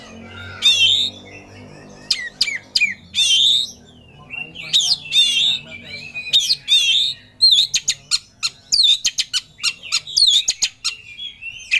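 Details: Oriental magpie-robin kept as a songbird, singing with full emotion as though challenging a rival; bold whistled phrases at first, then a rapid staccato run of sharp clicks and chirps.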